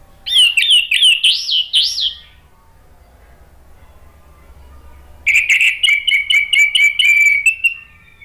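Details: Male orange-headed thrush, caged, singing as a lure or therapy song: a burst of rapid looping whistled notes, a pause of about three seconds, then a longer run of quick twittering notes over steady whistles.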